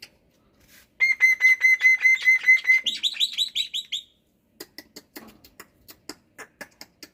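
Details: Black-winged myna in lively morning song: a fast train of evenly repeated clear, bright notes on a single pitch, breaking into harsher buzzy notes, followed by scattered dry clicks and taps.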